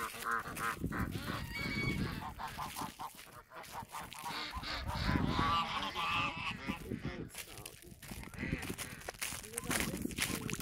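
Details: Emden geese on a farm, protective yard guards attacking a person, rough in season; loud harsh honks repeat rapidly and overlap through the whole stretch, with scuffling and handling noise beneath.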